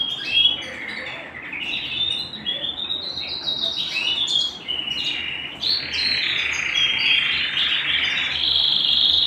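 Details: Home canary pouring out a sustained warbling song, dense trills and rolling phrases running almost without pause, gaining loudness toward the close.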